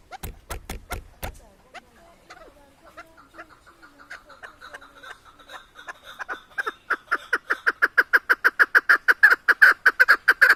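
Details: Chukar partridge in Tajikistan; a few sharp clicks, then a quiet series of chuckling notes that builds into loud, rapid, evenly repeated clucks, about two per second by the end.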